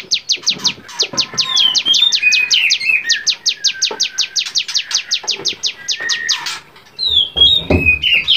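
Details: Bar-winged prinia (cigun) in lively, varied song for training songbirds: a long, fast train of sharp, high, downward-slurred notes repeated nearly three per second, broken by thin whistled slurs and twittering.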